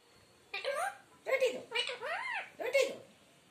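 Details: Indian talking parrot speaking Hindi phrases: four clear, word-like utterances with tonal, swooping inflections, spaced over about three seconds in a quiet indoor room.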